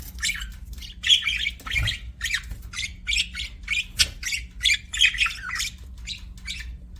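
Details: Budgie squawking and chirping in short, evenly spaced harsh bursts roughly twice a second, with a low thump early on and a faint background hum.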